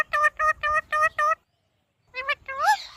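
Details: Alexandrine parakeet (Psittacula eupatria), call.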